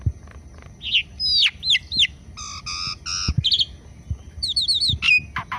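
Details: Morning activity of an Asian pied starling in Indonesia: squeaky upswept notes, then three grating harmonic buzzes in a row, a quick series of high repeated chirps, and a final sharp descending whistle.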